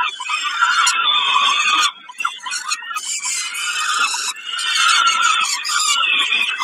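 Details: Peregrine falcon at Kawęczyn during a snack on 20 May 2022: loud, strained, squealing calls that briefly stop around two seconds in, then return in long raspy runs.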